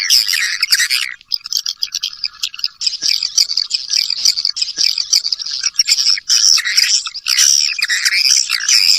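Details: Swiftlet lure call meant to draw swiftlets in: continuous shrill chirping and buzzy twittering, with loud bursts of harsher chatter at the start and again near the end.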